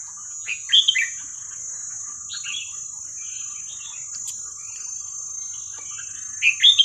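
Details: Red-whiskered bulbul song of the Thai 'hua khrok khayao khuat' style, used for tutoring young birds: quick, liquid, rising-and-falling whistled phrases at the start, a softer phrase midway and another at the end, with a constant high electronic whine.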